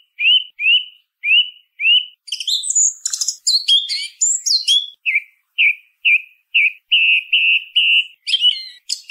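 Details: Singing song thrush repeats a rising whistled note four times, moves into a run of high varied twitters, then returns to a series of clear repeated whistles and a final squeaky flourish.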